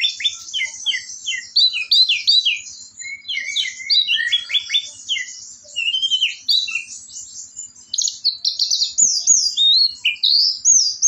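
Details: Orange-headed thrush singing in 'teler' style: fast, varied high whistles and upward and downward slurred notes in rapid succession, about three per second, with a short pause and a faint click near the end.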